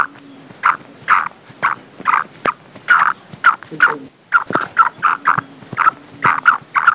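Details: Hen black francolin (kala titar) delivering a fast series of rough, croaking notes, about two to three per second with a brief pause midway, against a faint low rural background.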